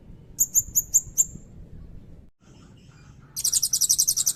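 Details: Loud, high-pitched song of a Blue-crowned hanging parrot in long cililin style. Five evenly spaced sharp chips open the phrase. After a short gap a rapid buzzy rattle of pulses follows and carries on to the end.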